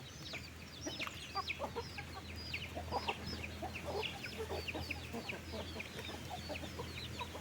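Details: Farm flock fed in the afternoon, 15 August: constant chorus of many chickens peeping and clucking over a steady low hum.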